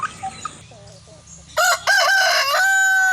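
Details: Rooster crowing: a loud, harsh, harmonic-rich cock-a-doodle-doo begins midway, with a brief break before a long sustained final note; faint clucking precedes it.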